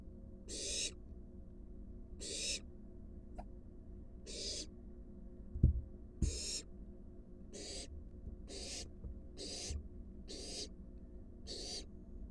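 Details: Wild barn owl at a monitored nest box as an adult brings a large rat to its fledgling: nine harsh, breathy hissing bursts, each about half a second, repeating every one to two seconds, with two soft thumps midway.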